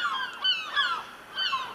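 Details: Noisy gulls near a rooftop chimney stack give three loud, strained, downward-sliding cries, partly overlapping.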